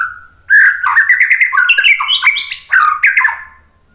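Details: Rich varied song of a white-rumped shama, used as a lure to make other birds answer: a rapid string of clear whistled notes stepping up and down, with a few sharp clicks between phrases.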